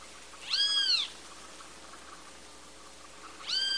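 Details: Great kiskadee giving drawn-out, rising-then-falling harsh notes, two heard about three seconds apart, against a steady hissy background.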